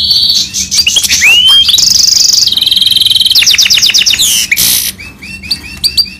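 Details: Goldfinch mule (Himalayan finch mule) singing full rolling song: upward slurred whistles, a steady buzzy trill, then a quick repeated series of bright notes and a harsh burst, ending in short chirps over a faint low hum.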